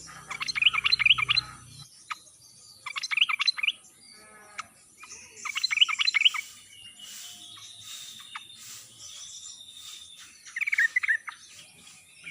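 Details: Ngalas-style sooty-headed bulbul song used as a prompt for birds that will not sing: four short bursts of rapid chirping notes spread over twelve seconds, with a low hum at the start.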